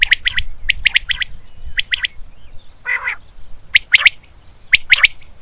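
Common Quail giving sharp, liquid three-note phrases, 'wet-my-lips', repeated about once a second, with a brief harsh rasping note midway and low rumbling background.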